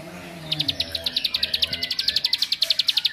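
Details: Bar-winged prinia (ciblek) singing a song meant to agitate other prinias: after a short quiet start, a fast, even train of sharp high chirps repeated about four to five times per second, with faint low background hum.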